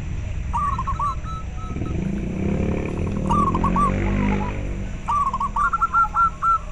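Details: Local zebra dove cooing, used to stimulate breeding drive and to lure doves. Soft rolling coo phrases appear at the start, middle and end over a steady low rumble, with a murky noisy passage in between.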